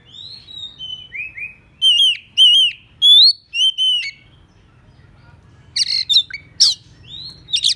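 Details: Oriental magpie-robin lure song aimed at rival birds: soft descending whistles lead into loud, ringing looped whistles, then harsh scratchy bursts and another sliding whistle.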